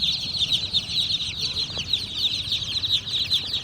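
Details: Chirping baby chicks fill the recording with dense, high, falling peeps, steady and overlapping, with a brief soft thump midway.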